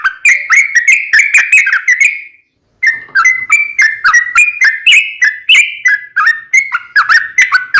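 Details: Sooty-headed bulbul in vigorous gacor singing, a long rapid ropel panjang song: bubbly whistled phrases that rise and fall, repeated quickly with sharp clicks, one short pause near the middle, then continuous again.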